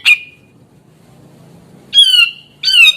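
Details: Grey-cheeked bulbul giving loud, rasping, slightly falling squawk notes: one short note, a long gap, then two drawn-out harsh calls in quick succession against near silence.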